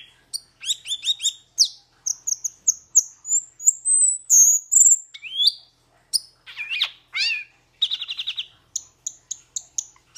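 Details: Song of the metallic starling with clipped chirps, a run of high thin whistles climbing steadily upward, then squeaky swirling notes, a short buzzy trill and a final spray of sharp clicks.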